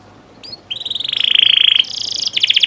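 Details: Canary song played as a training recording for young canaries: a few high chirps, then a fast, buzzy trill of rapidly repeated notes for about a second, followed by higher rolling trills.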